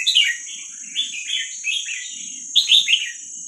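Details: Young red-whiskered bulbul from wild Vietnamese stock, for training young birds, delivers a flowing string of sweet warbled notes, then a brighter, louder burst near the end. A constant high whine and scattered low murmurs are heard.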